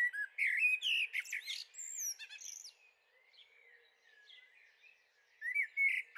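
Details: Eurasian blackbird youngster in a garden, May 2013, with a burst of squeaky whistles and chatter, a quieter soft warbling passage, then louder squeaks again.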